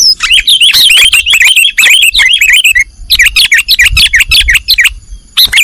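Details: Sooty-headed bulbul singing nggaruda style for cage-bird training: an unbroken, loud run of twisting, chattering chirps with a brief pause midway, plus a low rumble underneath.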